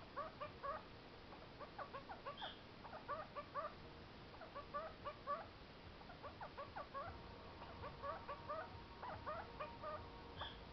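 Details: Pet kakariki sitting on a fridge indoors chatters in quick bursts of nasal, warbling notes over a steady low room hum; owner jokingly reads them as demands for snacks.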